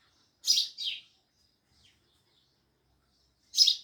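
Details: Loud sparrow chirping: two sharp, harsh chirps close together, a silence of about two and a half seconds, then one more chirp.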